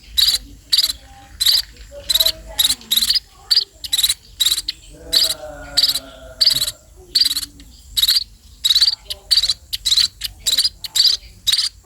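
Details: Sparrows begging while being fed: harsh, buzzy chirps in steady bursts about twice a second, each a short noisy blast, with faint lower sounds between bursts.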